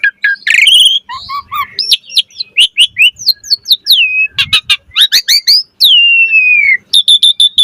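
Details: Busy gacor chatter of an Asian pied starling: clicking notes, short nasal calls, rising whistles, a long falling whistle and a rapid stuttered series at the close.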